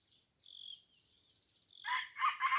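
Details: Red junglefowl from Aceh, near Blang Ulam, Krueng Raya, crowing: a thin, high drawn-out whistle from another bird leads into a harsh, broadband burst of crowing in the final second.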